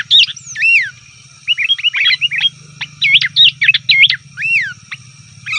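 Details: Sooty-headed bulbul chatter for calling wild bulbuls: clear, slurred whistled notes, some swooping down then up, given in loose groups across the clip, with a constant low hum beneath.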